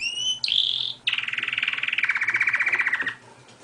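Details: Canary singing: a pure whistled note gliding upward, a brief high held tone, then a long rapid trill of even buzzy pulses that steps lower midway before stopping, over faint room hum.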